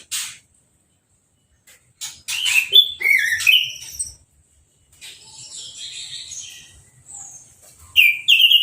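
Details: Orange-headed thrush, kept caged, after its moult and a hose bath, with no cover over the cage. It gives a run of varied whistled and slurred notes, some quieter thin high notes, and a final bright whistle.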